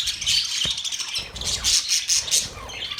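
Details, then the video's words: Budgerigars chirping: dense, high, scratchy chatter with a few brief clear whistled notes over about three seconds, with no other clear sounds. "Budgies chirping sound"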